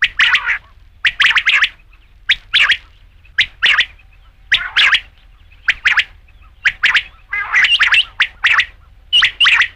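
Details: Batair, the rain quail, repeating rasping paired notes at an uneven pace over about ten seconds, each pair crisp and strident in a quiet setting.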